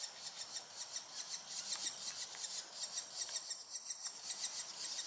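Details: Two Banded Woodpecker chicks near fledgling age in a nest hole in Singapore on an overcast morning, awaiting food from a parent; thin, high, scratchy calls pulse rapidly, about twice a second, in a steady rhythmic series.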